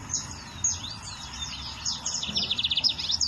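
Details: Lined seedeater in the wild, singing a fast high twittering song of thin downslurred whistles and a rapid buzzy trill near the end, over low background rumble.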